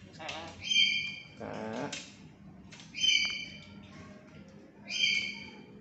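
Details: Tame black-capped lory that talks, calling indoors: loud harsh squawks with ringing high tones, repeated roughly every two seconds, with a brief speech-like murmur between the first two.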